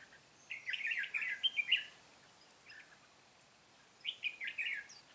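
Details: Red-whiskered bulbul singing during bird trapping on 13 March 2017, 'Cánh bướm' type; a bright, rollicking phrase of several rapid notes, a short pause, then a similar phrase repeated.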